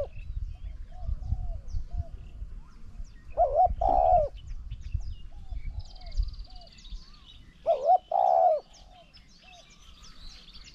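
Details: Spotted dove cooing during a decoy session against a strongly cooing wild bird: two low, mellow phrases, each a quick double note then a long rolling coo, roughly four seconds apart, over faint chirps of other birds and low rumble.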